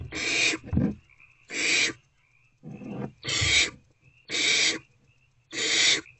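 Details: Repeated rasping screech-hisses, five in about six seconds, from barn owlets snuggling in a nest box between 1:28 and 3:20 am on 2 March 2024, with soft thuds under some of them.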